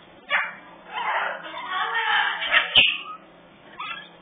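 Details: Three African grey parrot babies at a parrot rescue give a loud, rasping, whining call stretched over about two seconds, ending in a sharp squeal, then a short quieter cry.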